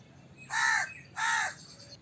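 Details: Two rough drawn-out crow caws, back to back within a second, loud over a quiet background.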